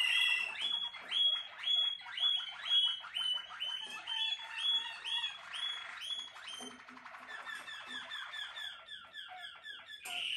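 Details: Captive-bred Malinois Waterslager canary singing a long run of repeated liquid upslurred notes, about two per second. The notes then speed up into rapid rolling, water-like trills, ending in a bright burst.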